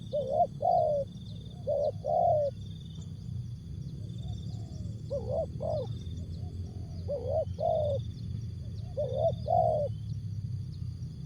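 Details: Spotted dove, tekukur, song in jergot, tapau or bungkus style: several pairs of hollow coos scattered through, some quieter, amid a steady low rumble and continuous thin high-pitched tones.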